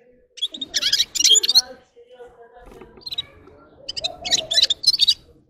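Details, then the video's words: Gulsir, the red-fronted serin, delivering two short bursts of high jingling twitters, a pause with faint notes and a low hum, then a longer run of sharp trilled phrases near the end. "Gulsir Singing (Seriniis pusillus) Пение Птицы (Yurok Qushi Red-capped signing) G'ir-G'ir"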